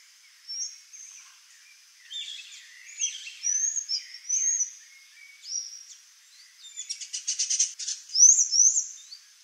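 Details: Pair of swallow tanagers calling: high, thin chirps and short upslurred notes near the top of the range, a rapid buzzy rattled series toward the end, then sharp rising whistles; background otherwise quiet.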